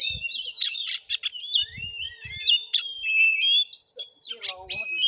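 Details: Kacer, the Oriental magpie-robin, singing in a fighting bout in Muko Muko, Bengkulu: rapid run of bright whistles and sharp chirps, a long sliding whistle near the end, some low knocks beneath.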